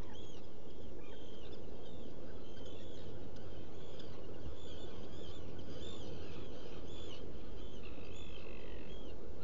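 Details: Black guillemots in a rock-crevice nesting burrow on Seal Island NWR, Maine, recorded by burrow camera early on 14 June 2018; repeated arched whistled notes in a loose series, against heavy low wind-and-sea noise.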